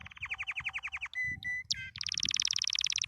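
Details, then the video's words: Canary singing happily with a varied phrase: a pulsing trill of about a dozen notes, two steady whistled tones, a short sweeping note, then a very fast, bright, high trill to the end. "Watch the canary sing happily"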